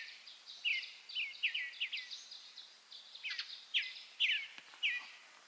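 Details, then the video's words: A Western Bluebird in open parkland gives its quiet, chortling calls: short, soft, slightly burry notes at an uneven pace, about one or two a second, over faint high twittering from other small birds. "Western Bluebird"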